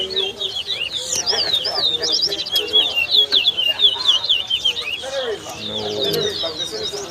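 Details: Towa towa (lesser seed finch) whistling in a bird competition at the West Side bird ground, Guyana: rapid, high twittering and slurred whistled phrases poured out almost without pause, with people talking quietly in the background.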